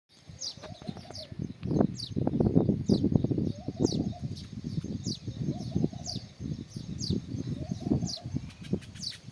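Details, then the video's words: Sparrows at their nests give quick, high, downslurred chirps, several per second, over loud low rumbling and thumping noise. "Sparrows Chirping"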